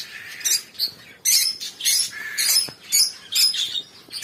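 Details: Lovebirds singing: loud, harsh, squeaky chirps and short squawks in quick bursts, several per second with brief pauses, shrill and scratchy with no low tones, against a quiet background.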